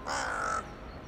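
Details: Single drawn-out, grating caw lasting about half a second from a town-centre crow in the evening, 23 January 2021, as it communicates with others flying in for the night; quiet urban background.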